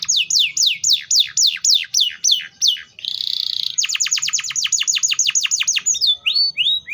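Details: Canary (Serinus canaria) singing: loud series of descending whistled slurs, a buzzy trill near the middle, then a fast rapid run of downslurred notes and a few drawn-out whistles.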